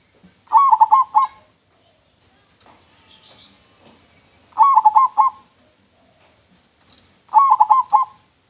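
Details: Clear-voiced local zebra dove, used as a lure, repeats a short phrase of rolling, gurgling coos three times, roughly every three to four seconds, with faint soft sounds between phrases.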